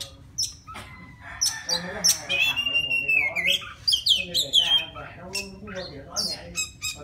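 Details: Wild white-rumped shama singing to call a female: a rich, varied run of clear whistles, slurred glides and quick chattering notes, mostly high-pitched.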